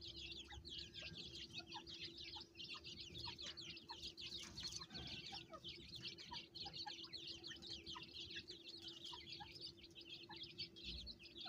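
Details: Francolin mother calling her chicks on a farm; the chicks keep up a continuous, crowded chorus of short high peeps, broken by scattered lower notes, with a low hum behind.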